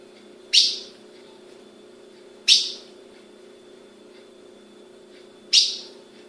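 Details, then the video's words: Three crisp, high chip calls at uneven intervals from a captive female Ultramarine grosbeak bred in Brazil; a faint low hum runs throughout. "Fêmea de azulão piando"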